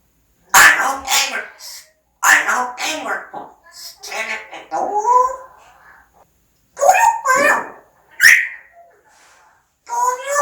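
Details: Rapid run of parrot speech mimicry indoors, with many short breathy and voiced syllables in bursts and a few brief tonal glides between pauses.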